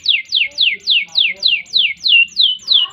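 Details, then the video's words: Domestic canary singing a long rolling tour of descending whistled sweeps, about three and a half per second, evenly spaced and bright, recorded as a tutor song for young canaries and other cage birds. "Kenari Gacor Panjang Ngerek Ngerol Nembak Mantap Buat Masteran dan Pancingan | Bird Singing"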